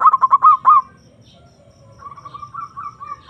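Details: Zebra dove used as a lure to call a rival: a quick run of clipped coos with a final drawn-out note, then a second, much softer series of coos fading in after a pause.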